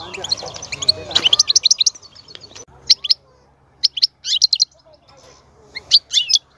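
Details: European goldfinch song to stir a female into mating and breeding. A rapid, tinkling twitter opens and gives way to separate clusters of bright chirps and short buzzy phrases with brief silences between.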